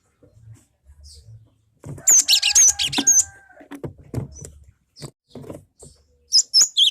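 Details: Lure song of a cinereous tit, known locally as gelatik batu, used to provoke other birds to sing; a second of shrill, rapid chattering phrases with brief whistles, framed by tapping and rustles, and a short high call near the end.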